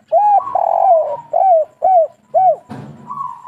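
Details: Spotted dove, the Indonesian local kuk 3 type known as tekukur: short curved coos alternate with a longer rolling coo, followed by a brief noisy thump and a drawn hoarse note.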